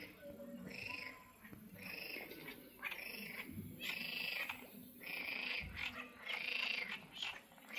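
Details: A greylag goose at the Soča River mouth nature reserve (Izliv Soče), Slovenia, on 14 June 2024 gives a run of harsh, nasal honks, about one per second, over a steady background hiss.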